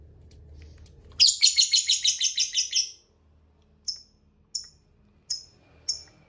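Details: Lovebird singing actively in the long 'ngekek panjang' trill style: a loud, rapid chatter of about ten harsh, high buzzy notes lasting under two seconds, followed by four short, sharp high chirps spaced well apart.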